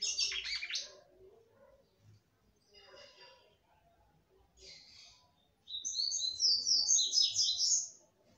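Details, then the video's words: Female red-cowled cardinal singing to stimulate a male. A short chattering burst, faint scratchy notes, then a loud, fast run of repeated high zigzag whistles lasting about two seconds. "FÊMEA DE GALO DE CAMPINA CANTANDO MUITO PRA FOGUEAR SEU CAMPINA."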